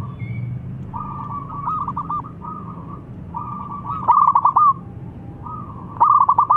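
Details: Zebra dove with a clear crystal tone, used to coax reluctant birds into song: soft rolling coos build into louder rapid bubbling phrases, repeated several times.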